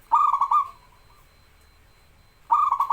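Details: Actively singing local zebra dove, a recording meant to train and lure reluctant birds: a fast bubbling run of high, trilled coo notes trailing off, then after a pause another quick trilled burst begins.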